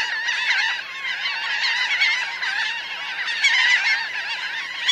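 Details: About 1000 laughing gulls in a large flock, on the ground and in flight, recorded close up. They give a dense, unbroken chorus of overlapping nasal, yelping cries with no quiet gaps.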